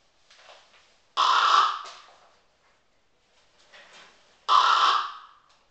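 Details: A pet common raven copies the snoring of an old Tibetan Mastiff. It gives a soft inhale-like rasp followed by a loud, grating exhale-like burst, and the pair repeats about three seconds later.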